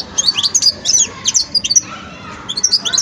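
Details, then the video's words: Juvenile European goldfinch at the song-learning stage, giving clusters of bright, high twitters and quick chirps with brief gaps, over a low steady hum. "جان مقنين ويداني في مرحلة فرز التغريد"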